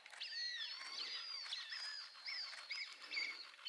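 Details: A male blood pheasant at Chele La Pass, Bhutan, on 12 February 2020: a continuous run of thin, high, overlapping whistled notes that slide and bend, some rising and some falling, with no pauses and a quiet background.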